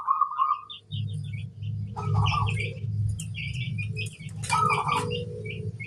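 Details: Master-song zebra dove of local crossbred stock: three short, rolling trilled coos spread over six seconds, partly masked by a steady low rumble, with many quick high chirps of other small birds around it.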